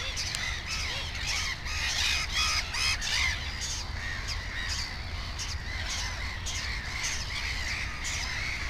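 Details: Black-headed gull at a nest holding two chicks; a dense run of hoarse, grating calls, several per second, with more gulls calling around it throughout.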